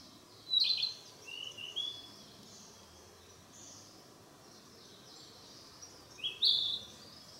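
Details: Narcissus flycatcher practising its song in the mountains, not yet managing it: two brief, high whistled phrases about six seconds apart, with softer fragments between, over a faint steady hiss.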